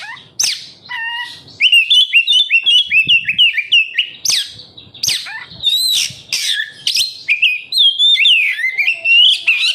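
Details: Oriental magpie-robin (kacer) singing as a lure for captive birds: rising whistles, a fast series of clipped warbled notes, harsh sweeping accents, and looping whistled phrases toward the close.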